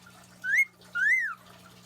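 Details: Male pet cockatiel practising his celebratory wolf whistle, usually given when his owner's girlfriend walks in: a clear two-part whistle, a short upward note then a longer rise and fall.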